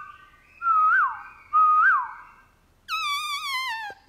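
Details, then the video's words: Black-throated laughingthrush, a kept cage bird, singing a wild-style song in the morning: two rising-then-falling whistles followed by a long wavering note with rich overtones. "Khướu mun bổi hót giọng rừng cực phê . vào buổi sáng"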